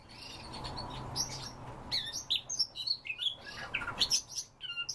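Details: Siberian rubythroat singing: after a quiet, hissy start, a fast run of high, varied warbled and twittering phrases with sharp chirps and short slurred whistles, packed closely together.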